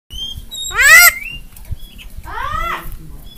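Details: Javan myna on a masteran training recording meant to get kept mynas singing and talking, paired with rain sounds: two loud, harsh, harmonic notes that arch up and then fall, a second apart, plus a few thin high whistles.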